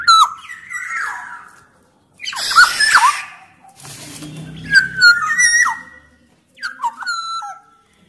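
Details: Black-naped oriole, a loud bird from Sumbawa used to prompt lazy orioles to sing; liquid whistled phrases with downward slides, interrupted by one harsh grating burst and a low buzz.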